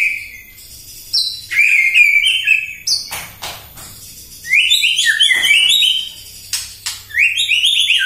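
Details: White-rumped shama singing in the morning as a lure meant to provoke other shamas: loud, varied whistled phrases, some sliding down, mixed with sharp clicks and rapid chattering notes, with short pauses between bursts.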